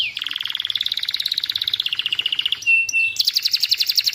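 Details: Young canary delivering a long, even rolling trill, then a brief whistled note and a higher, buzzier pulsing trill, used as tutor song to stir a silent canary into song.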